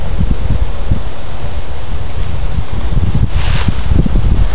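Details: Loud buffeting wind rumbles against the microphone throughout, with a brief hiss of rustling; no animal sound is heard.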